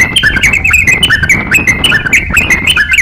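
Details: Master song of a crocok-cokan for songbird training: crisp, repeated whistled phrases that slur downward, delivered in rapid bursts about every half second.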